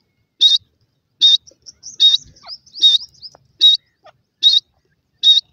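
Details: Grey francolin chicks fighting: shrill, high piping calls repeated at a steady pace, about once every 0.8 seconds, with soft thin twittering notes between them.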